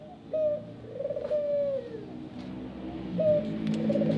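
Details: Soft coos from a ringneck dove in a mini aviary: a brief clipped note followed by a sustained, gently descending coo, then another short coo starting near the end, with faint clicks and low room noise.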